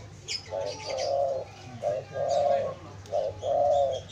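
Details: Spotted dove calling, used as a lure for wild doves: low mellow coos in short-then-long pairs, three phrases repeated about every 1.3 seconds, faint chirps of other small birds high above.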